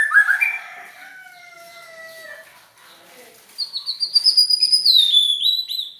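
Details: White-rumped shama, peculiar song: a burst of warbling, then long thin level whistles, followed by very high drawn-out whistled notes sliding downward.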